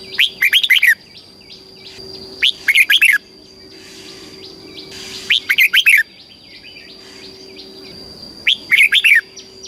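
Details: Red-whiskered bulbul in Thailand singing the southern master style phrase for training caged birds: four lively phrases of rapid warbled whistles spaced two to three seconds apart, a brief rushing noise midway, continuous faint hum.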